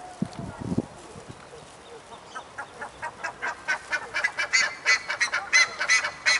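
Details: Buff-necked ibises at a tower, preparing to spend the night: after a few soft notes, loud harsh honking calls build up and repeat rapidly, about three per second, growing stronger toward the end.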